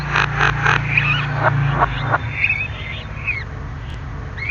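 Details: Javan myna in native song, opening with a quick series of rough, broad notes, then brief whistled twists and chattering notes spaced irregularly, with a constant low humming background.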